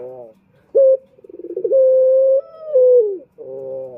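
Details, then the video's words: Male turtle dove (puter) from Indonesia, recorded as a lure for other males: a short cooing phrase of steady, slightly rising notes, with a rapid rolling pulse in the middle and a drop at the end. "Pancingan Puter Jantan"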